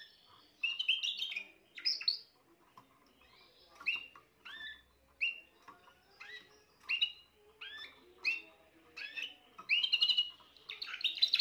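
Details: Young Spanish Timbrado canary hatched this year, recorded 14 June 2023 early in its singing: a run of short chirped and trilled syllables, many rising or falling sharply, in bursts separated by brief pauses, ending in a denser rattling passage.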